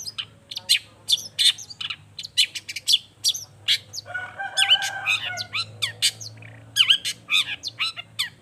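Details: A Long-tailed shrike pours out a varied lure song, full of emotion, aimed at making other shrikes answer spontaneously: mixed sharp chirps, slurred whistles and a buzzy grating passage midway, with a low steady hum underneath.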